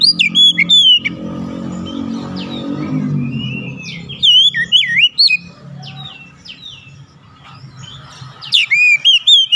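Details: Oriental magpie-robin singing as bait to get other magpie-robins singing: scattered whistled slurs and chips in short bursts, alongside a low humming background sound and quieter stretches.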